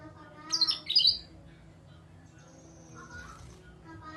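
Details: Grey-cheeked bulbul lure call used to coax silent kept birds into song: a sharp, high burst of rapid squeaky chattering notes lasting about half a second, followed by a thin steady whistle and faint lower notes.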